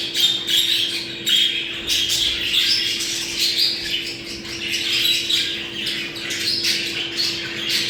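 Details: Mating chatter of budgerigars, meant to bring pairs into breeding condition: continuous high twittering and squawks with brief whistled notes, several birds at once, steady background hum.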